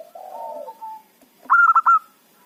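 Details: Zebra dove, local bird, used as a loud trapping lure: a soft, wavering low coo followed by a sharp, loud run of four quick staccato notes ending in a short held note.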